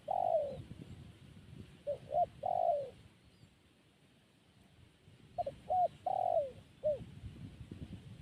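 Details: Zebra dove, known locally as perkutut, giving soft cooing calls around 600–800 in pitch: short clipped notes followed by a longer descending coo, in two bouts separated by a quiet gap; low rustling background.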